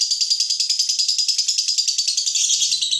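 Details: Lovebird giving a long ngekek chattering trill, used to stir other lovebirds to sing: a dense, high, rapidly pulsed rattle repeated about three times a second, steady throughout.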